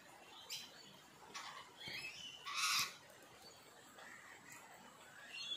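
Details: Rainbow lorikeets in the rain at Elanora, Gold Coast, Australia, give harsh, shrill screeches and short chirps in scattered bursts, with one loud rasping squawk near the middle, over a soft hiss of rain.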